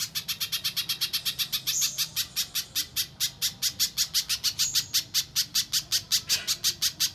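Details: Mbeset-style song of a little spiderhunter, recorded as a clear master for training contest birds: a fast, steady run of bright, piercing chips, roughly three per second, continuing for seven seconds.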